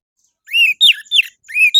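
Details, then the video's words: Orange-headed thrush in morning song, recorded as a lure for captive birds: four loud, clear whistled phrases, arched and slurring downward, given in quick succession with short gaps. "PANCINGAN ANIS MERAH DI PAGI HARI AMPUH BIKIN IKUT BUNYI"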